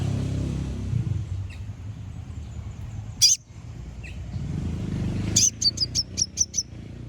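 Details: Konin song played to rouse rival birds: one sharp high burst, then a rapid series of six piercing chips, over steady low traffic-like rumble.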